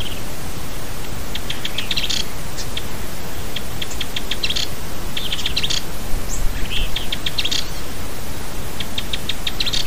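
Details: An agitated rare Rufous-sided pygmy tyrant on the road to the Peba community, Chapada dos Guimarães, Mato Grosso, Brazil, giving high, dry ticking bursts in quick series every second or two over a steady low rumble of wind.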